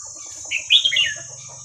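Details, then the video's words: Red-whiskered bulbul giving a hua krok khayao khuat song phrase, played to teach young birds: a mellow, warbling whistle that rises and falls, backed by a low buzzing rattle and a continuous thin high whine. "เสียงนกกรงหัวจุกเพลงหัวครกเขย่าขวด เปิดสอนลูกนก"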